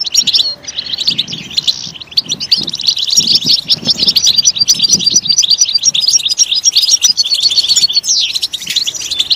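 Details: Energetic European goldfinch song, played to prompt goldfinches to sing: a sharp opening note, then a steady stream of high tinkling chirps, trills and sliding twitters.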